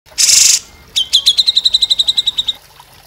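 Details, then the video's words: Bearded bulbul master song for training songbirds such as magpie robins and leafbirds: a loud harsh buzzy burst, then a rapid series of about fifteen sharp, evenly spaced high notes in a trill. "MASTERAN CUCAK JENGGOT"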